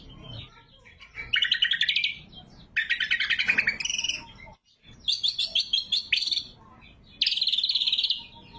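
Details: Cucak kombo (greater green leafbird) pouring out varied song for luring and tutoring: rising rattled trills, harsh buzzy bursts and sharp quick notes in close series, with a brief pause midway.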